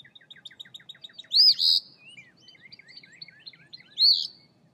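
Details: Eastern phoebe recorded on 14 March 2024. Two loud, buzzy, rasping high phrases about three seconds apart stand out over a steady patter of thin, high chips and twittering from other small birds.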